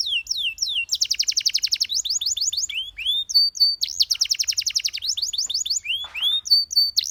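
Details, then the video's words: Singing canary delivering rapid chirping trills, falling whistled notes in quick series and high buzzy rolls, switching tours every couple of seconds. "The Singing Canary Tempts All The Canaries to Chirp"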